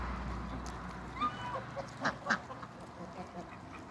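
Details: Farm geese of the African and Toulouse breeds meeting a newcomer: a few scattered, brassy honks, two louder ones close together midway, against steady low farmyard hum.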